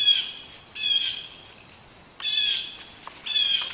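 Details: Mobbing blue jays harass a barred owl, giving three drawn-out raspy jeers spaced roughly a second apart, with a constant high-pitched insect drone beneath.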